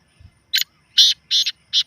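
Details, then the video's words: Partridge call used to prompt a kept partridge to call more: loud, harsh, buzzy high bursts in a rapid sequence of four notes, the second one longest, against a silent background. "مست کرنے والی اصلی تیتر کی آواز"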